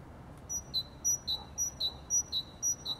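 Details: A great tit (Parus major) sings its spring song, a bright two-note phrase, high then lower, repeated about twice a second over a faint low rumble.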